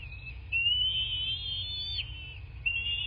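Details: Bald eagle at a nest in southwest Florida, picked up by a nest camera on 8 March 2024 around 11:00; thin high whistled squeals, one long wavering note with pitch slides, over a low steady rumble.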